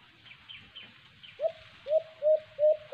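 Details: Faint high bird chirps precede the white-eared brown dove (alimokon), heard while trapping, as it starts a slow series of five low, rounded coo notes, each a short rising swell.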